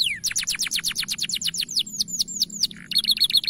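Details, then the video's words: Bright-coloured canary in a loud, long training song: a fast series of high descending whistled sweeps, slowing toward the end, then a brief pause and a dense rapid trill. "Masteran Kenari Warna Cerah Suara Power Tinggi Durasi Panjang"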